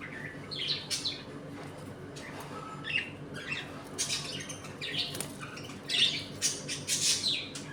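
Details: Pet budgerigars chattering in a home colony while eating, playing and fighting; irregular scratchy warbles and squawks building into denser bursts toward the end, over steady low hum.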